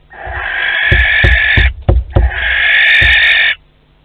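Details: Barn owl pair in a nest box at Théding, May 2020: two long breathy hisses with a cluster of thumps and knocks in the gap between them.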